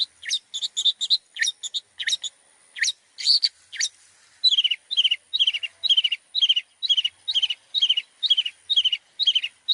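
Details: Long-tailed shrike song for training other birds, packed with imitated phrases. Quick scratchy notes and sharp upward flicks give way to a steady run of falling, slurred chirps repeated about twice a second.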